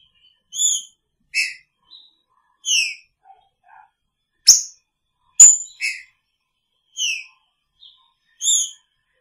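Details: Picharro-style song from a caged green-winged saltator sharing the cage with its female: loud whistled notes in a steady series, some sliding downward, interspersed with a couple of sharp clicks and soft low chirps.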